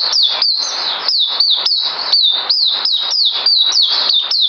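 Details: Kept songbird due for deworming, recorded 9 December 2018: a rapid run of bright, high chips, each sliding down and then levelling, repeated steadily over a few seconds with no other sounds.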